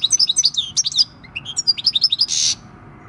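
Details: Six-year-old wild-caught European goldfinch nicknamed for its field-style song, recorded 26 December 2019; rapid high twittering notes, liquid trills and a short buzzy burst near the end, with faint low background hum.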